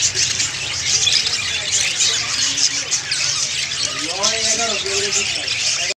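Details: A group of budgerigars keeps up an unbroken high twittering and scratchy warbling. Midway through, a lower, voice-like wavering sound rises and falls over the chatter.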